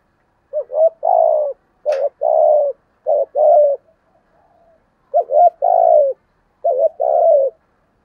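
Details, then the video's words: A spotted dove, in the 'giọng thổ' voice prized for luring wild doves, repeats its coo phrase four times, each a quick double note then longer, throaty coos, with a single sharp click early on and otherwise quiet. "cu gáy giọng thổ tiếng gáy hạp bổi nhất hiện nay"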